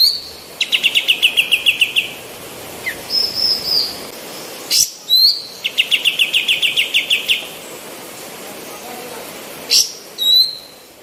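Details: Female white-eared bulbul singing actively, meant as a master recording for other birds; rapid chattering trills of bright chips alternate with high whistled slurs and sharp notes, the pattern repeating twice.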